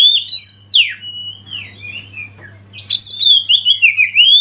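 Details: Oriental magpie-robin used as a tutor recording to provoke other birds to sing, giving loud, varied whistled phrases, some sliding and some in quick chirpy bursts, over a faint low hum.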